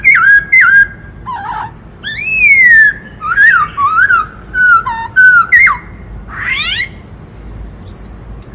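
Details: Black-throated laughingthrush in dancing song, switching between many voices in a song used to stir up other birds. Loud clear whistles, a rising sweep, quick dipping slurs and a final buzzy upward rasp.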